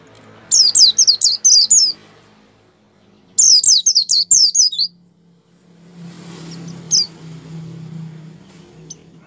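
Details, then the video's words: Two quick bursts of shrill, chattering, descending whistles from a white-eye singing 'gacor', used to prompt kept birds to sing. A low steady hum and one faint note follow. "suara pleci gacor pendongkrak mampu membuat pleci buka paruh"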